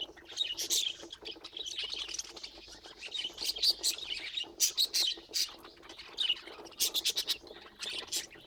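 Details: 'Laughing' budgerigars, a group of pets, pour out steady warbled chatter studded with repeated sharp clicks and bright chirps, rising into denser bursts midway and near the end.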